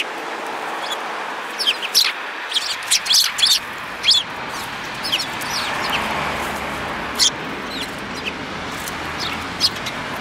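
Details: Sparrows, 29 January 2018, utter bright chirps in a loose cluster early on, then single scattered chirps against a constant hiss of background noise.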